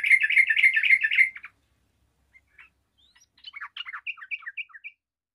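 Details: Yellow-vented bulbul with responding bulbuls: a loud second of rapid chattering, scattered quiet chips, then a looser phrase of short, clear whistled notes rising and falling.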